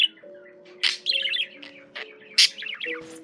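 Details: Pet budgerigar chattering in short bursts: a few sharp clicks and chips separated by brief runs of soft, buzzy twittering, with steady low tones sounding beneath.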